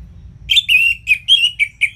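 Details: Orange-headed thrush, intended to prompt idle birds to sing: six quick whistled notes with buzzy edges, some slurred and drawn out, tightly spaced over under two seconds.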